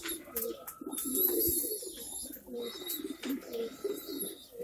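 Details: Pomeranian Pouter pigeon, a female, in Bhavnagar, Gujarat, India: deep throaty cooing repeated in uneven bursts, overlapped by other pigeons cooing, rustling and clatter in an enclosed space.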